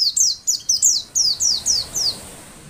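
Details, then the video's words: Female white-eye voice, played so that sluggish or group-kept male white-eyes answer and sing fast as in the wild: about eight sharp, high down-slurred notes, evenly spaced, over a soft low hiss. "masteran pleci untuk merangsang bunyi pleci ombyokan"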